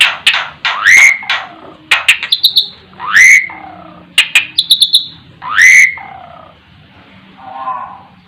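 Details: Asian pied starling (jalak suren) performing its 'terkuku' song: four loud rising, ringing whistles, each trailed by sharp clicks and bright tinkling ticks, cycling roughly every two to three seconds, with a soft lower warble at the end.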